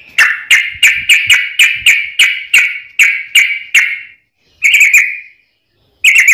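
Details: Sooty-headed bulbul in fast song with straw-headed bulbul variations, used to train caged birds and attract wild ones. A steady series of bright, slightly buzzy whistled notes repeats about three times per second, then a pause and a few more.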